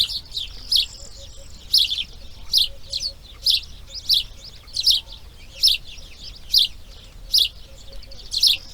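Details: Grey heron chicks in their nest, day 2 of breeding: dry, harsh ticking bursts repeat roughly every 0.8 seconds in an uneven rhythm, with a soft tonal whistle faintly underneath.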